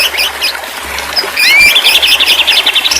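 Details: Therapy recording of white-rumped shama song for stressed, silent birds: a single upslurred whistle followed by a rapid, rattling series of high chirps repeated about four times per second.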